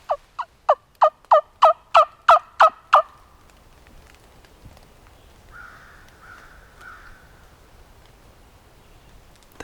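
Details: A wild turkey in Alabama big woods during late hunting season gives a quick run of about nine loud, hoarse notes, three per second, then a few softer, fainter calls in the quiet woods.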